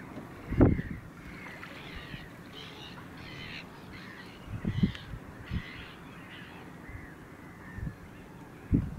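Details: Caspian gull, one individual, 9 March 2016: a rapid series of harsh, nasal, yelping notes. They rise in pitch through the middle of the sequence and then fall away. Scattered low knocks and handling thuds are heard throughout.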